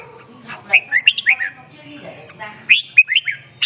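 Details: Red-whiskered bulbul singing short bursts of bright, warbling whistled notes that slur up and down, in two clusters about two seconds apart, with quiet gaps and a low background hum between phrases.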